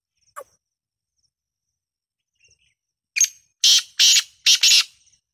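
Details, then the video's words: {'text': 'Black francolin calling: after a faint tick and soft note, a burst of four loud, harsh, grating notes in quick succession, each a broad rasping blast, delivered over about two seconds near the end.'} "Black tater tots voice"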